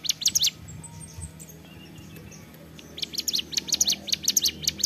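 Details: Ciblek gunung (prinia) singing in energetic ceplekan style: bursts of sharp, high, downslurred chip notes in quick series, a quiet pause in the middle, then a longer rapid run of notes; low background hum.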